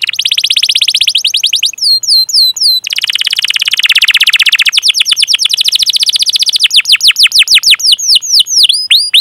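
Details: Canary singing long 'cuit cuit' calls and rolls for training young canaries: a dense buzzy trill, quick falling chirps, a fast rattling roll, then loud descending chirps spaced evenly.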